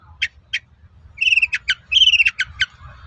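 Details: Long-tailed shrike singing a lure song meant to provoke other shrikes to reply: two short sharp notes, then harsh raspy phrases and clipped chattering notes over a faint low hum.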